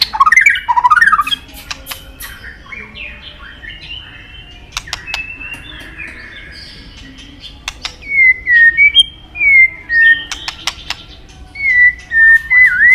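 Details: White-rumped shama, sought after by songbird keepers: a scratchy jumble and quiet chatter at first, then clear whistled phrases dropping in pitch, repeated every second or so.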